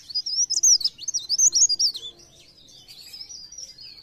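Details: Mountain leaf warbler singing a busy lure song: rapid high-pitched twittering phrases in a loud burst for two seconds, then softer, thinner warbling trailing on.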